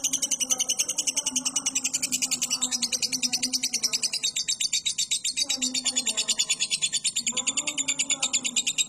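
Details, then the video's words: Lovebird giving a long ngekek song, used as a training recording for cage birds: a continuous, rapid, high buzzy chatter that runs without pause, with faint lower murmuring sounds in the background. "MASTERAN BURUNG LOVEBIRD NGEKEK PANJANG"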